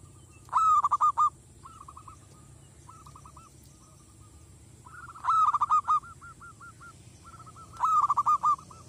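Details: Zebra dove from a village, used to lure wild doves and rouse them to aggression, gives three loud rolling bursts of staccato coos, linked by softer strings of short repeated notes, over a constant low hum.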